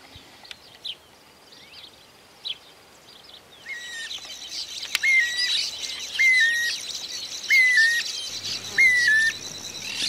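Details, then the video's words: Green-barred Woodpecker in rural groves of Santa Fe, Argentina, 2023, with a soft call and a loud one often given as a duet: four clear whistled notes, each dropping in pitch, spaced about 1.3 seconds apart over a steady insect-like buzz. "carpintero real tiene una voz suave o bien otra fuerte que suele emitir a dúo [Música]"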